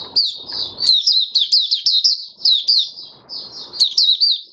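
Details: Mata Puteh Raja, an oriental white-eye, in open song on the fifth day after its monthly deworming, January 2022. Fast, high, tinkling chirps follow one another in a lively warble, with faint rustling at times.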